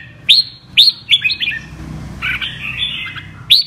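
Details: Double-voice (giọng kép) song from a 'mơ' red-whiskered bulbul: loud rising whistles, a quick bubbling run of notes, a longer wavering phrase, then another sharp upswept whistle; low rumble behind.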